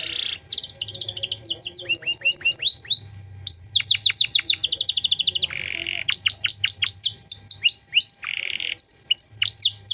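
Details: Singing canary with luxurious 'cengkok mewah' phrasing, played to teach other cage birds: varied bursts of fast buzzy trills, sweeping chirps and piercing pure whistled tones, with short gaps between phrases.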